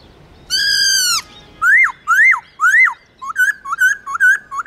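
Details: Caged laughingthrush singing, used to train young birds' voices: a sustained rich whistle, then three rising-and-dropping whistled notes, then a quick run of short warbling notes.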